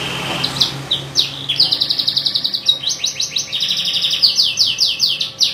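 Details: Canary song built from rapid, rolling trills of high, buzzy syllables, changing pace several times, over a soft low background hum.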